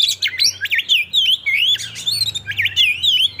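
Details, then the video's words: Lure song of the kacer, or Oriental magpie-robin, aimed at triggering breeding condition and aggression; continuous looping, warbling whistles rise and fall over a steady low hum. "pancingan agar kacer capat birahi dan emosi terampuh"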